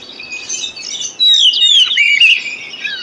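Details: Oriental magpie-robin lure song for reluctant singers: soft chatter, then a sudden loud sequence of long descending whistles and quick fluty notes.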